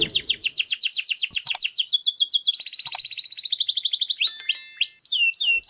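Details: Canary mating song, with the male agitated to stimulate females: rapid high trills changing speed across phrases, a sustained buzzy rolling section, then sharp upslurred whistled notes, with a couple of faint clicks.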